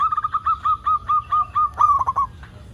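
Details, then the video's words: A local zebra dove gives a steady series of about ten short, clear cooing notes, then finishes with a louder, faster stuttering trill. "Perkutut Lokal Gacor AMPUH Untuk Pancingan Semua Burung Perkutut Agar Cepat Bunyi"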